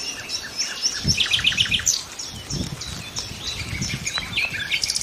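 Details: Song of nightingales: a quick series of sharp high notes, then varied whistled phrases and chirps over soft low background noise.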